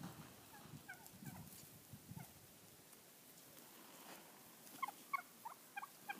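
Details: A flock of about 30 wild turkeys in a Montana back yard one morning at the start of mating season, toms strutting, give rattling, throaty bursts over a low rumble, then quick runs of sharp clucks about every third of a second.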